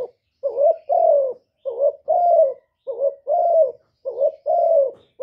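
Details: Spotted dove cooing in mellow low tones: a short wavering coo followed by a longer, steady coo, the pair repeated four times over about five seconds, with no other sounds.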